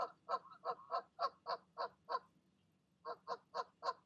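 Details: Evening goose calls as the mother coaxes her goslings to jump from the nest; a quick train of harsh honks breaks off for about a second, then resumes at the same fast pace.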